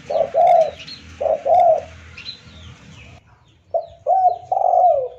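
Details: Spotted dove calling to lure others: short coo pairs, then after a pause a longer phrase ending in a drawn-out falling note; faint bird chirps in the background.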